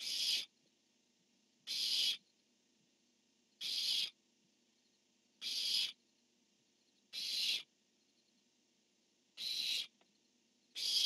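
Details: Male barn owl calling with a female answering, dated 10-1-15: seven harsh, hissing screeches at a steady pace about every two seconds, each short and broad, with quiet between.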